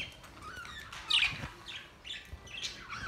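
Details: Budgerigars, May 29, 2023, with breeding noted: a run of brief descending chirps and rasps, one louder burst early, then steady chattering calls.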